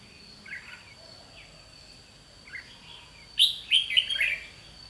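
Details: Red-whiskered bulbul used as a trapping decoy, singing a challenge: faint soft notes early, then a loud rapid run of sharp chirped and warbled notes in the last second and a half, with a steady high hum behind.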